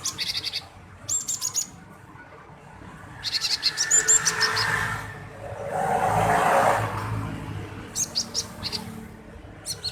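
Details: Chattering male cinereous tit used as a lure to set other birds singing: rapid clusters of sharp high chirps and buzzy notes, about three per second, broken by pauses, over a steady background murmur.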